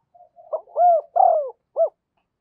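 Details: Spotted dove kept as a decoy coos to attract wild doves. A quiet lead-in is followed by two long, falling, hollow hoots and a brief closing note.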